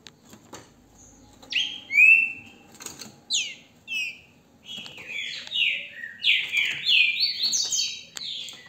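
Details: Brazilian captive green-winged saltator recorded by phone in hand: after scattered clicks, bright whistled slurs begin, building into a dense sequence of descending and rising whistles toward the end.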